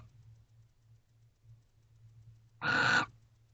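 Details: In a nest box at night on 29 November 2023, a barn owl pair stays together and kisses. After quiet with a soft low hum, a single harsh, breathy screech lasts under half a second.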